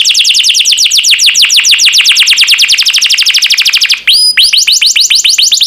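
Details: Canary singing for a master recording meant to prompt caged birds to sing: a long fast trill of falling notes, a brief break with a rising whistle, then another quick rolling series.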